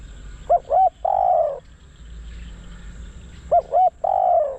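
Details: Spotted dove serving as a decoy bird for wild doves repeats a three-part cooing phrase, two short arched notes and a longer coo, twice about three seconds apart, over soft low rumble.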